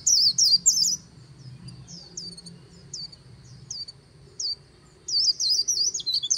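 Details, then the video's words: White-eye by the Kỳ Cùng riverbank in líu song: a quick burst of high twittering notes, then single thin chirps spaced about half a second apart, ending in a fresh fast tumbling run; a faint continuous high hum underneath. "VÀNH KHUYÊN HÓT LÍU/ 10 PHÚT CHIM VÀNH KHUYÊN LÍU BÊN BỜ SÔNG KỲ CÙNG RẤT HAY/ KÍCH KHUYÊN LÍU CHOÈ"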